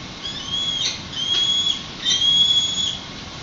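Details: Webcam recording of wild peregrine falcons at a San Francisco nest while an egg hatches, April 6, 2021, 5:05 pm: drawn-out, thin, high whistled notes, each held about half a second, in two bouts with brief gaps, over faint hiss.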